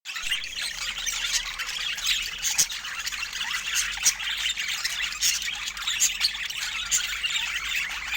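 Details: Budgerigars kept as pets giving dense, continuous chattering: overlapping high warbles, squeaks and rapid chirps, with sharper clicks standing out around the middle and near the end, and no pause throughout.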